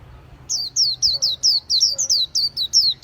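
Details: Bird song made of a fast, steady run of about eleven high, sharply descending whistled notes, each a quick downward slur, delivered almost four per second over a faint low hum.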